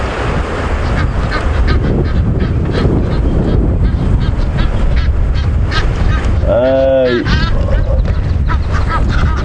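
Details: Agitated Egyptian geese guarding six goslings at Djuma Game Reserve, windy afternoon-evening, 11 Nov 2015, chasing off two marabou storks: harsh, rapidly repeated honks, one stretch clear and ringing, over wind rumble and a man talking.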